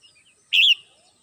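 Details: Morning song of a caged red-whiskered bulbul kept at home: a single short, bright warbled phrase that swoops up and then down, with near silence around it.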